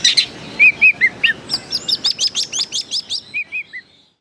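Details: Contest white-rumped shama singing at Jakarta Cup 2015: clear downslurred whistles, then a long run of about a dozen evenly spaced sharp chipping notes, ending with soft whistled slurs.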